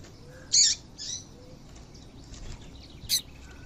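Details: Female Double-collared seedeater calling to stir males into song: one loud, high, rasping chirp, a softer echoing note just after it, then another sharp high chip near the end.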